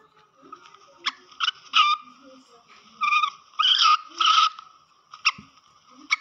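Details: Black francolin calls mixed to excite the bird: harsh, grating multi-note bursts with ringing overtones, separated by short pauses, faint low murmur in the background.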